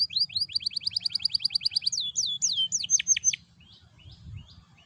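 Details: Canary song used as a lure to get other canaries singing: fast, even series of rising high chirps, then several looping, descending sweeps and sharp notes, ending in faint scattered chirps over a low rumble.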